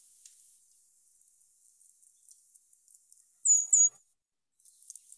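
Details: Brown Creeper in winter on the Mendocino Coast, 2021, giving its call of two very high, thin, clear notes in quick succession, a sibilant 'trees trees', over faint background hiss; far more often heard than seen.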